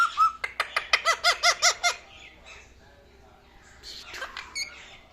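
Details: Male Indian ringneck parakeet kept as a household pet, rattling off about nine rapid, evenly spaced nasal squawking notes, then quieter scratchy chatter in a room.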